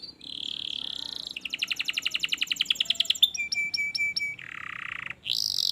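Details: Canary tutor song meant to make a lazy canary sing, a steady buzzy tone followed by a fast pulsing trill, sharp ticking notes, and a lower rolling buzz, over faint background hiss.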